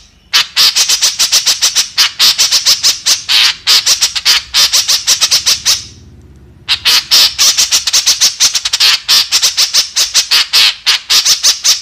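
A white-breasted woodswallow gives a fast, harsh, scratchy chatter of rasping notes, several per second, with one brief pause midway.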